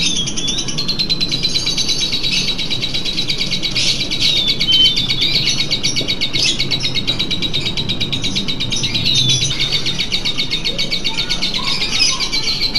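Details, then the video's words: Lovebird chatter played as a simulator against contest nerves: a long, dense stream of shrill, rattling, high trills with occasional sharp chirps, steady throughout, with low background rumble. "mengatasi grogi kontes pada lovebird dengan simulator"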